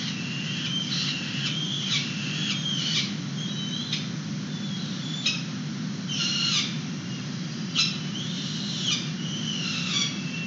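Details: Peregrine falcons feeding young outside their nest box in San Francisco, 29 April 2021, captured by a live webcam: a series of short, sharp, harsh calls and some drawn-out wavering notes, irregularly spaced, with a steady low rumble behind.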